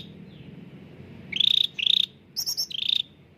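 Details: Bulbul song played as a lure for caged birds that rarely sing. Rapid, rattling buzzy phrases come in quick succession, with one higher, sharper double note among the lower trills.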